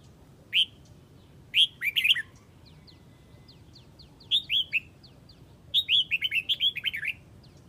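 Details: Calling the flock, a Huế red-whiskered bulbul utters a single sharp note, then phrases of lively slurred whistles that grow longer, ending in a rapid run of six or seven notes; soft ticking in the background.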